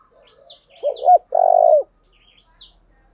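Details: Spotted dove in the thổ đồng style, thúc and gáy gọi. A soft lead-in note, a double hoot and a long, steady, mellow coo. Faint, high, thin chirps of another bird are heard in the background.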